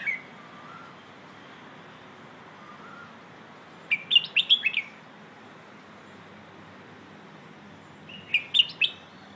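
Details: Red-whiskered bulbul in the "phleng ho" training song style for young birds: soft faint notes at first, then two loud clusters of rapid chirping whistles about four seconds apart.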